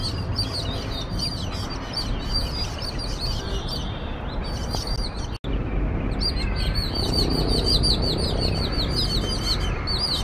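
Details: Jungle babblers gathered to mob a cat, a potential predator; a busy chorus of harsh, chattering notes repeated rapidly over steady broadband outdoor noise, with one brief dropout midway.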